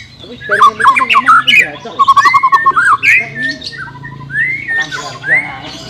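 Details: White-rumped shama song, used for training a bird reluctant to sing: loud, fast whistled phrases with rapid trills, upslurred notes and harsher squawky elements, delivered in quick bursts with brief pauses.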